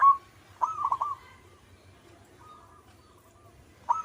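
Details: Local zebra dove giving brief stuttered coo phrases, one longer burst early and short notes at the start and end, with quieter drawn tones in between.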